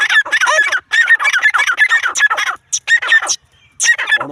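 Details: Female Grey francolin calling: loud, harsh, rapidly repeated squeaky notes in quick bursts, broken by short gaps, ending in a rough descending note.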